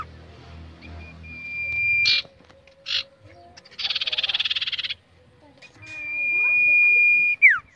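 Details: Caged common iora in training to build confidence for contests: a long steady whistle, a burst of fast buzzy trills, then another drawn-out whistle ending in a sharp downward slur.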